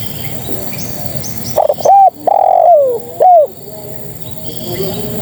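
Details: Spotted dove, a female calling to males: a few short coos rising to a longer drawn-out coo that slides downward, over a faint hiss of background noise with quiet distant chirps.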